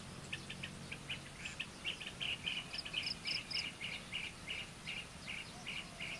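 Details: Common kingfisher chick begging while it waits for its mother to come back: rapid, continuous run of short high chirps, lower squeaky notes alternating with thinner piercing pips, uneven rhythm over a faint hiss.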